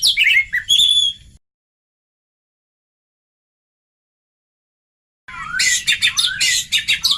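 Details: Oriental magpie-robin lure song meant to draw a reply from young birds: a brief burst of bright whistles and chirps, a silent gap of several seconds, then a dense run of rapid, scratchy, varied notes.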